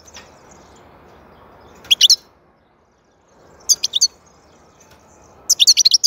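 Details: European goldfinch twittering in three quick bursts of bright, high notes, the last a rapid run of five or six, with soft hiss between.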